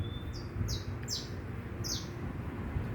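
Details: Saffron finch singing free in the wild: a few short, bright, downward-sweeping chirps spaced about half a second apart, over a steady low rumble of background noise.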